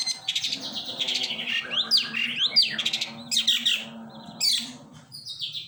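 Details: Long-tailed shrike giving a busy, varied song of harsh scratchy notes, sharp downslurred chirps and rapid buzzy trills, phrases tumbling together almost without pause, with a low steady hum underneath.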